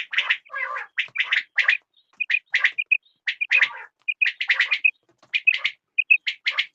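Quail calling in quick bursts of sharp, chattering notes, with short clipped whistles between them, repeated several times a second.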